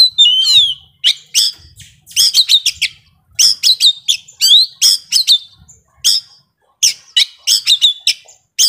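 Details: Young Oriental magpie-robin from the forest singing energetically: a downslurred whistle opens, followed by repeated bursts of sharp staccato chirps and short whistled notes with brief pauses.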